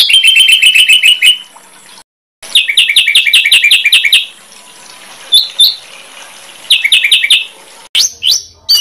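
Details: Recorded master song for competition birds, made of fast strings of bright repeated whistled notes in bursts, separated by quieter gaps with occasional single high whistles.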